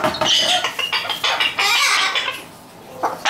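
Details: Umbrella cockatoo kept as a pet, clamouring for play indoors: a run of loud, raspy, broadband screeches in quick irregular bursts, a short pause, then another harsh shriek starting at the end.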